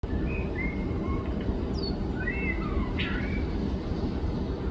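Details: White-rumped shama in Taiwan, a fledgling just out of the nest hearing its father's familiar voice: scattered thin whistled notes and short rising and falling slurs over a loud steady low rumble of background noise.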